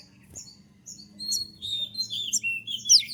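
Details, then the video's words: Konin in moult warbling a continuous high, twittering phrase of slurred whistles that swells in loudness and ends with a sharp shot note. "dengan suara tembakan seperti ini pasti bikin kelas kicau koninmu melecit tinggi"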